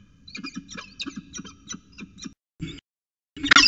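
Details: Peregrine falcons at a nest with eggs at Orange CSU, New South Wales, recorded 5 September 2020: a run of eight or nine rasping, nasal cries at an even pace, then a short scratchy burst and a loud clattering noise at the end.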